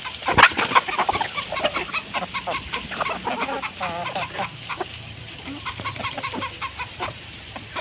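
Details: Hen clucking while eating food: short, harsh clucks come in quick irregular bursts, loudest at the start, then softer scattered clucks over a noisy, rustling background.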